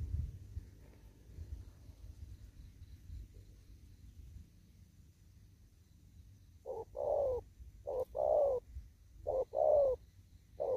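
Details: Wild spotted dove out in a farm field, cooing in the đồng thúc gù style: after several seconds of low rumbling background, a series of short hoarse coo notes begins, grouped in close pairs and repeated about every second.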